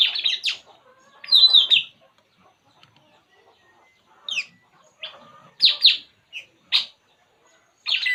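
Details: Relaxing puling bird calling with sharp, bright chirps, some single and some in short pairs, spaced irregularly across the stretch, with quiet rustle-like notes between them.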